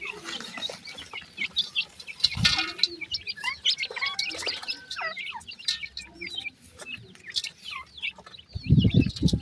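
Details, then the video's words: Black francolin chicks calling their mother: many overlapping thin, high chirps and short squeaky notes in a continuous busy chorus, with occasional thumps. "pheasant bird chicks calling mother,sindhi titar k bacchay"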